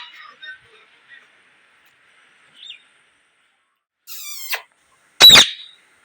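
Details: Parrot giving a few soft, scattered chatters, then a short harmonic rasping burst and a loud, harsh screech near the end, with quiet gaps between calls.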